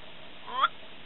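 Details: In the Masai Mara, Kenya, a Black-bellied Bustard gives a single brief nasal rising squawk, its 'pop' call, of about a quarter second, against a faint steady hiss.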